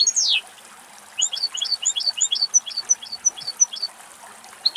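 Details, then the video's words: Male European goldfinch in Greece: a sharp descending slurred note, then a loose string of bright, well-spaced tinkling chirps alternating high and lower, about three per second, with a quiet background. "Καρδερίνα Αρσενικό Πτηνό - Καρδερίνας Κελάηδημα - Goldfinch bird and song"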